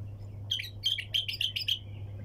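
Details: Bulbul singing in the sayyad style: a run of about seven bright, chirpy notes in quick succession, each with a sharp accent, over a steady low electrical hum.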